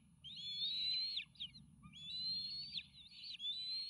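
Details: Nearly fledged bald eagle triplets on a camera-watched nest, 29 May 2018, excited for an incoming meal; long shrill whistled squeals, slightly rising, in two extended bouts with short breaks, low hum beneath.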